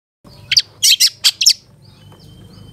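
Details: Long-tailed shrike (cendet) in the 'satu titik nagen' style, used as a tutor recording for caged birds: five sharp, high chirps in quick succession within about one second, then quiet with faint background hum.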